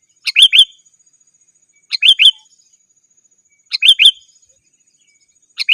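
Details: Repeated sooty-headed bulbul call used as a lure for wild birds and a model for birds kept at home. A doubled, bubbly chirp recurs about every two seconds, cleanly, with no background sound.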